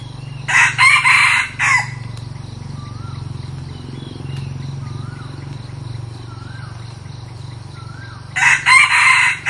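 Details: Newly acquired red junglefowl decoy bird, used to lure wild junglefowl, gives two short, harsh, clipped crows about seven seconds apart. Soft whistled calls from other birds and a low steady hum fill the quiet gap between them.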